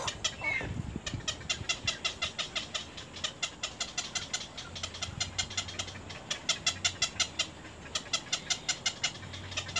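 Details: Baby little egrets harassing their mother in the nest: a brief falling squawk, then a long rapid clicking chatter near three notes per second, pausing once, with a low hum in the background.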